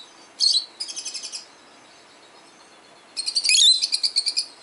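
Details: A 12-year-old male peach-faced lovebird, a pet bird calling toward played lovebird sounds, makes a short shrill chirp and a brief chatter. After a pause comes a longer, dense burst of high, rapidly pulsed squeaky notes.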